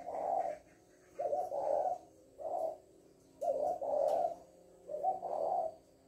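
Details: Female spotted dove kept as a decoy bird, giving low, hoarse coos in phrases: a short note followed by a longer two-part coo, repeated about every two seconds, with faint clicks in the background.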